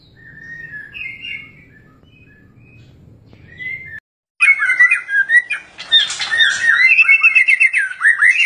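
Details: Mating white-rumped shama: faint, scattered whistled notes at first, then after a short break a loud burst of rapid, varied whistles, harsh notes and warbling phrases tumbling over one another.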